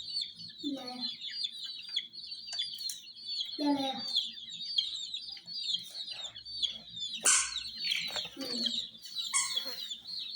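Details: Hen chicks swarm toy jeeps, chirping constantly in a shrill, unbroken peeping chorus, broken by several short lower calls and scattered clicks.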